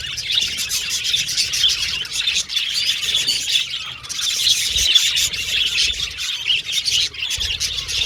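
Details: Many budgies chirping while playing and communicating; constant high, twittering warble with crackly clicks scattered throughout and a brief lull around four seconds.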